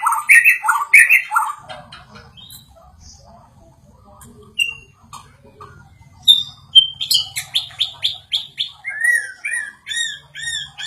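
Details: White-rumped shama agitated by a played sound: two loud mellow whistles open, a long quieter stretch of scattered faint notes follows, then a fast series of sharp high chips building in intensity.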